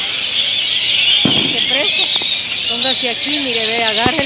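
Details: Great-tailed grackles flocking to their sleeping trees in Granada, Nicaragua; a steady shrill screeching chorus fills the background while a man speaks clearly in the foreground.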